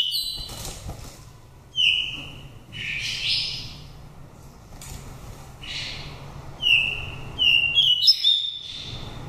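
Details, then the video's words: Oriental magpie-robin from Daklak, Vietnam, fifth-season bird with a pure wild voice, used to stimulate birds or as a trap lure; sings clear, high whistled phrases, mostly slurred downward, in varied bursts every second or two over a faint low hum. "chòe than đất mồi giọng rặc rừng"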